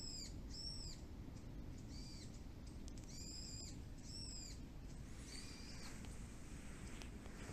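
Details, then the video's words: Birds calling often once rain has stopped, beside a local plum orchard, a male Shiba Inu listening: short arched calls in quick pairs, repeated several times, then one longer falling note, over constant low background rumble. "鳥の鳴き声 Chirping of birds"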